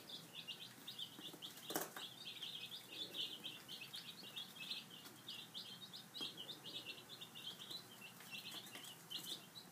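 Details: Breakfast for five-day-old chicks: a continuous chorus of rapid, high, sharp peeps from many chicks, with one loud knock early on.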